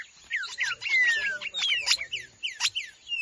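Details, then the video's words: Green-winged saltator singing busy bursts of rich, downslurred whistles that tumble over one another in quick succession, phrases overlapping densely, with other chirps possibly mixed in; applause is heard nearby. "trinca ferro em ação"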